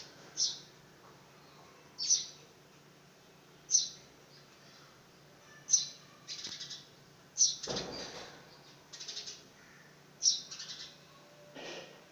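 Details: House sparrow fledgling attempting its first flight gives sharp high chirps roughly every one and a half seconds, some followed by soft fluttering bursts and a knock partway through.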